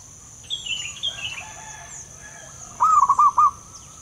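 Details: Zebra dove living wild, local type: after several other birds' descending whistles, one crisp phrase of four quick rolling coos rings out, backed by a continuous shrill insect hum.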